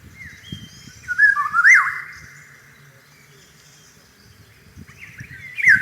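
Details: In spring among flowering cherry trees, a Eurasian golden oriole gives a rich, mellow fluted phrase that rises and falls. A pause follows, then a second whistled phrase begins, with a low rumble underneath throughout.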